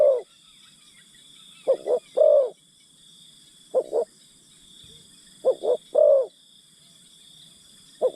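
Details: Decoy spotted dove coaxing wild birds with deep, gentle coos. Phrases of two short notes and a longer one come irregularly, one phrase cut short, against a faint steady high hiss.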